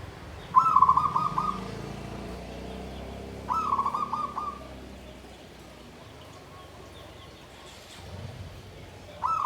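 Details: Zebra dove in a bamboo cage, song style Klabang Kapipit and Tumpang Sari (klarr kete kuk kuk). It repeats a warbling, rolling low coo phrase every three seconds or so, with quiet pauses and soft background rumble.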